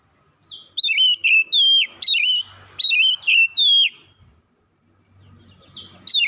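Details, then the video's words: Morning song of an Oriental magpie-robin: rapid sequences of bright whistled notes, each rising then dropping, three to four per phrase, repeated after short gaps, loud and clear above faint hum. "KICAUAN KACER INDAH DI PAGI HARI"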